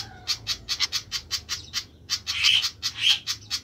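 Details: Noisy flycatcher giving a fast series of sharp, high chipping notes about four per second, broken by a few louder, buzzier bursts near the end.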